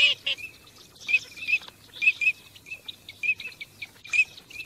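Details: Teal on migration: two brief nasal notes at the start, then a series of short high whistled calls, paired and irregularly spaced.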